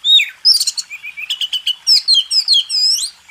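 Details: A contest-champion White-rumped shama's song, used as a tutor recording, is a rich, fast medley of clear whistles, trills and rising sweeps, one phrase after another, with no other sounds.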